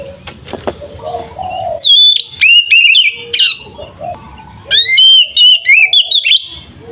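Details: Ngeplong-style fighting song of an oriental magpie-robin meant to provoke others. A few dry clicks come first, then bright whistled, slurred phrases in two bursts with short pauses between them.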